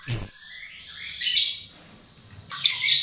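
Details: Chestnut-tailed starling song used as a lure: a harsh squawky note, then high buzzy phrases that slide downward, a pause, and a final burst of scratchy high notes.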